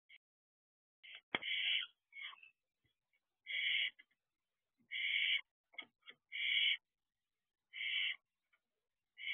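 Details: Barn owl owlet returning to its nest box at 4:08 am, 6/1/23, in the wild: harsh, hissing screeches in half-second bursts, repeated roughly every second or so, with a sharp knock near the start.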